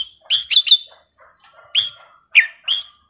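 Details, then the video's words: Young forest Oriental magpie-robin giving an intense burst of song: a few sharp, loud whistled chirps in quick pairs, separated by quieter thin notes and brief gaps. "KACER MUDA HUTAN GACOR KONSLET"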